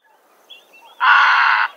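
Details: Western reef heron from a bird sound guide of Córdoba: one harsh, hoarse, broadband croak lasting about two-thirds of a second, preceded by a few faint, thin higher notes against a quiet background.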